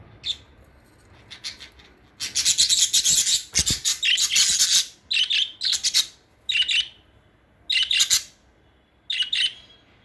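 Budgerigar chirping in short, scratchy bursts of high twittering, with a longer chattering run midway.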